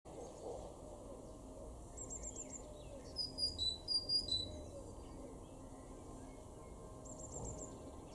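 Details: Great tit (Parus major) in a garden in Weener, East Frisia, northwest Germany, April 2021: short, high, thin notes in brief clusters, with a louder run of sharp chirps midway, over a steady low outdoor rumble.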